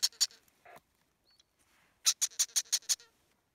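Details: Young, completely naked double yellow-headed Amazon nestlings, unable to thermoregulate, beg loudly for their parents with harsh, raspy notes: two at first, then a quick run of about eight after a short pause.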